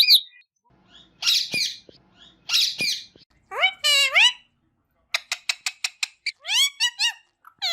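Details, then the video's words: Green parrot, described as talking, gives harsh raspy squawks, then drawn-out harmonic wailing notes and a run of short sharp clicks, followed by more slurred nasal calls, with brief silent gaps between bursts. "Talking Green Parrot Bird Natural Sound"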